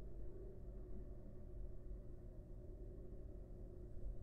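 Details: Quiet low-pitched hum and rumble with a steady drone, with no animal sounds.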